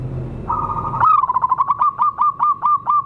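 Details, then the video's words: Local wild zebra dove song used to lure wild birds: a soft trill rises into a clear run of short, bubbling coos repeated about four times a second, slowing slightly toward the end. "suara pancingan dan pikat burung perkutut liar lokal"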